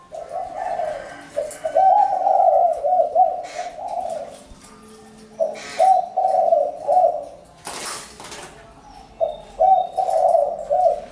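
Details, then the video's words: Spotted dove in Vietnam repeating its phrase of grainy, low coos in three bursts separated by short pauses; brief sharp knocks and clatter break in between phrases. "Chim cu gáy-Đam mê tiếng chim cu"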